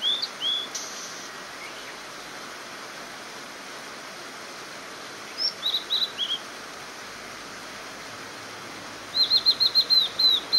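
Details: Wild blue-and-white flycatcher by a mountain stream, May 2018; bursts of high, thin whistles separated by long gaps, the final phrase a rapid string of repeated notes, against steady rushing water.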